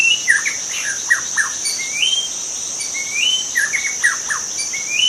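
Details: Wild forest white-rumped shama singing varied clear whistled phrases, some sliding upward, others in quick downward-slurred clusters, with short pauses between phrases over a steady high insect drone.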